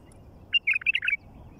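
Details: A wild bulbul in nature gives a quick burst of bubbly, warbled notes lasting about half a second, with a faint low rumble underneath.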